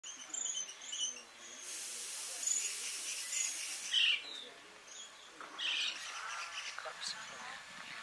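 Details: Rufous sibia (Heterophasia capistrata capistrata) at Pangot, India, in November 2023, giving bright, high chirps and short whistled notes in scattered bursts over a steady airy hiss with other faint bird calls.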